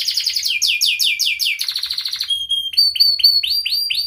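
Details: Sharp canary song meant to coax silent canaries into singing: fast descending sweeps repeated several times a second, a buzzy trill, a brief steady whistle, then a series of rising chirped notes.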